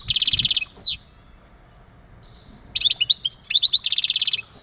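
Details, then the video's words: Male European goldfinch mating song to stimulate a female for breeding: a buzzy rattling trill and a falling note, a quiet gap, then quick bright twitters returning to the dry buzzy trill. "بتبتات ونداءات التزاوج عند ذكر الحسون فعالة في تجهيز أنثى الحسون"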